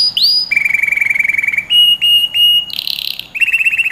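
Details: Short burst of canary song for training young birds: a rising whistle, then a long even trill, clipped repeated whistles, a harsh buzzy note and a final rapid roll.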